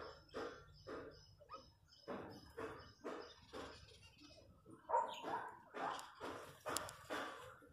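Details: Countryside recording of wild chachalacas: a steady sequence of rough, grating calls repeated about every half second, growing louder near the end, with a thin high whistle in the background.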